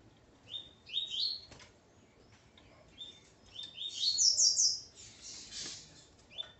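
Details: Coleiro, male with his female, Ponto 50 song; scattered short whistled notes and one louder buzzy rising burst midway, over faint background noise.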